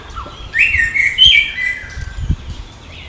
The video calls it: Orange-Headed Thrush II Bird Sound